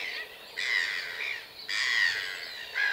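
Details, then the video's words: Red-gartered coot, a diving waterbird of Chilean lakes: two long harsh nasal squawks about a second each, followed by the start of a third. "Tagua común o Focha de ligas (Fulica armillata) Red-gartered Coot"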